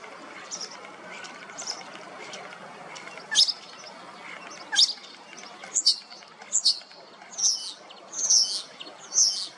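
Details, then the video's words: A male Common Starling (Sturnus vulgaris) sings short, high, squeaky whistles and sharp clicks, about one burst a second and growing louder. He follows a female, then sings from a low perch nearby on a sunny 12 March 2026 in Hrodna city, W Belarus. "Sunny song of Common Starling"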